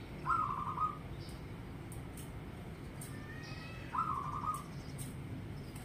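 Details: Zebra dove, a local bird, cooing: two separate short phrases of mid-pitched, slightly trilled coo notes a few seconds apart, with faint high ticks and low background hum between them.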